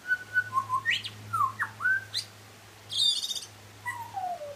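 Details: Butcherbird in song: clear whistled notes at shifting pitches, fast rising and falling slurs, a burst of rich harmonic notes, then a long descending glide. Low hum beneath.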